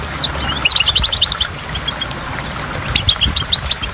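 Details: Goldfinch song beside a waterfall: a fast tumbling twitter in the first second and a half, a short lull, then further bursts of high chirping notes.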